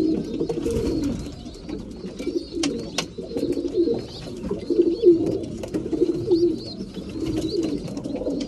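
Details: Low, throaty cooing from several breeding pigeons at mealtime, overlapping rolling coos with sharp taps and pecking clicks and thin high chirps in the background.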